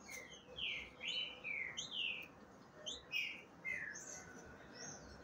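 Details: Green-winged saltator female, ready to breed and calling for a male while another saltator nearby tries to reach her: a series of faint, clear, slurred whistled notes, some falling and some rising.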